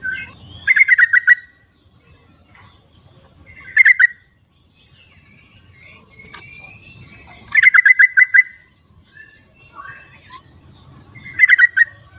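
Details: Sooty-headed bulbul in its natural habitat, recorded as a calling lure for birds that won't sing. Rapid bubbling bursts of five or six liquid notes repeat about every four seconds, separated by softer chirps.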